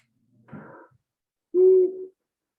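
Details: Long-eared Owl song played from a recording: a fairly deep hoot that carries very little. After a short muffled sound, a single low, steady, even-pitched hoot lasts about half a second.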